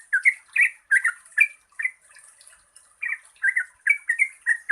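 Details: Bubbly, rolling phrases from a yellow-vented bulbul, played to prompt birds that sing little, broken by a short lull before the quick gurgling notes resume over a faint high hiss.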